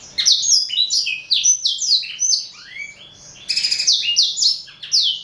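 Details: Pet male black-throated canary of Somerini x Botswana stock, four years old, singing loudly and continuously: rapid, sweet, downward-sliding whistles with a brief dip midway and a buzzy trill near the end.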